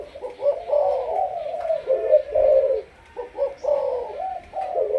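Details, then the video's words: Decoy Malaysian spotted dove with a 'sấm thổ' style voice, giving low hollow coos grouped into phrases, with one quiet break midway before calling resumes. "Lên em sấm thổ cho ae về tập mồi"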